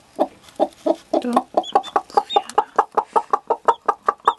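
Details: Hen clucking steadily beside her newborn chick. Soft, low clucks come in an even run that gradually quickens to nearly four per second, with a few faint high chick peeps above.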